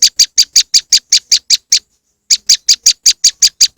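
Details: Moss wren lure: two runs of loud, buzzy chip notes, about five per second, separated by a half-second silence.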